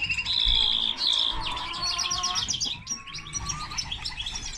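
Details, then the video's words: Hybrid of common linnet and canary: a clear whistled note followed by rapid rhythmic trilling, about four notes a second, then mixed chirps and twitters over faint low noise. "Mixto de pardillo y canaria - هجين طائر التفاحي مع الكنار"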